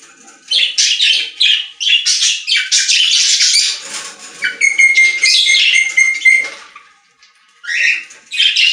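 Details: Pet-store budgerigars chattering: rapid scratchy chirps and warbles from overlapping birds, a steady whistled tone held for about two seconds midway, a brief lull near the end, then chatter resumes.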